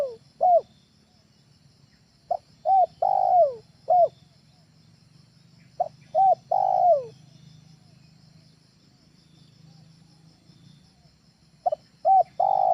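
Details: Spotted dove training call used to lure birds at home: three coo phrases spaced several seconds apart, each of short arched notes around a longer falling coo, with a low rumbling hum throughout.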